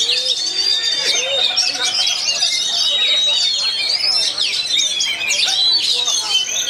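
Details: A competing Oriental magpie-robin at the Sriwedari Berkicau songbird contest on 12 November 2023 sings rich, varied high whistles and quick chattering phrases, tangled with other birds singing at the same time and faint voices.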